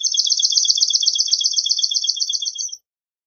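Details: A swamp sparrow trill already underway, a fast, even run of high stacked chips that continues steadily for nearly three seconds and then cuts off, in an otherwise quiet setting.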